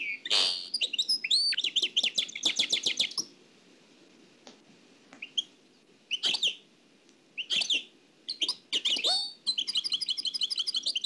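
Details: Oued El Alleug-style nightingale song copied from an old cassette tape: short loud bursts of fast trills and clipped repeated notes separated by brief silences, ending with a rapid even rattle.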